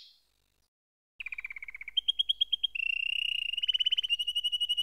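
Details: Canary song beginning after a brief pause: a fast low rattling trill, clipped ringing notes, then steady rolling tours of rapid, evenly repeated tones.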